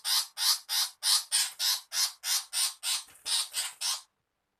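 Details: Rasping chatter from a female long-tailed shrike, used as a bird-catching lure. About a dozen harsh, noisy screams follow one another rapidly and evenly for four seconds, then stop.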